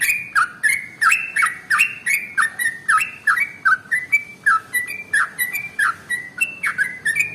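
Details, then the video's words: Trucukan (yellow-vented bulbul) male singing in rapid 'ropel' style to spur other birds: a dense stream of short whistled slurs, around three per second, sustained evenly throughout. "SUARA Trucukan ropel SUPER PANJANG"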